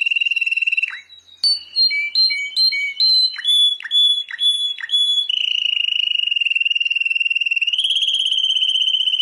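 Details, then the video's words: Song of a world champion canary: a steady rolling trill, then a run of stepped chirps at shifting pitches, closing in a long sustained trill that lifts slightly in pitch. "Canto de canario"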